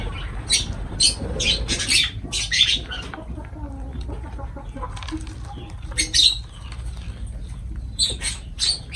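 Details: Lovebirds calling while feeding, making bright, piercing, clipped chirps in quick clusters that are loudest near the start and middle, over faint background rustle.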